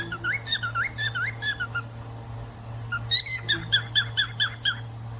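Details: Cockatiel (Nymphicus hollandicus) giving bright whistled calls: a wavering run of rising chirps, a pause, then about eight quick sharp whistles, over a low steady household hum.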